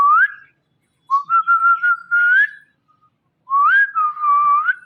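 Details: Pet Indian ringneck parakeet talking indoors: drawn-out whistled, voice-like phrases, level then rising at the end, in two longer bursts separated by a short silence.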